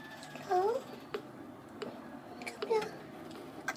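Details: Red-rumped parrot chicks aged two weeks and three days, recorded 26 November 2014, give two short, wavering, rising squeaks about two seconds apart, with soft clicks and taps between.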